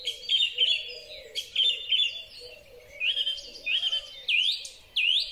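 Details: Springtime song thrush song, captured with a Huawei P30 Pro phone: bright whistled phrases repeated several times, ending in a run of rising upswept notes given again and again, while a soft low cooing continues behind.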